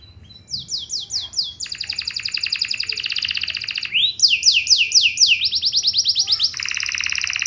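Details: Canary lure song meant to get other canaries singing back: quick downslurred notes, long buzzing trills, a rising whistle, then more rapid sweeps and a steady dense trill.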